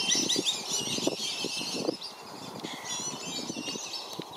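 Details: Black-bellied whistling duck parents defending young from other ducks at a Florida reserve; rapid chattering whistles from many birds, loudest in the first two seconds, with scattered splashes and flapping.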